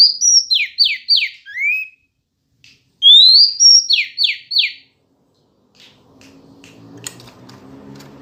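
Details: Female Oriental magpie-robin singing to stir up males: a phrase of three rapid descending raspy notes and a rising whistle, repeated twice, then faint low noise.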